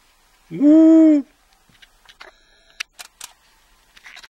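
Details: A Long-eared owl at Aquileia, Italy, at 03:40 on 25 April 2014, gives one drawn-out, slightly rising, rich nasal hoot, followed by a series of sharp clicks like a camera shutter.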